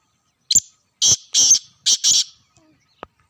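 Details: A black francolin in Sindh, Pakistan, gives a harsh, scratchy call: one brief clipped note followed by two drawn-out buzzy notes and a fast double, then a faint click and stillness.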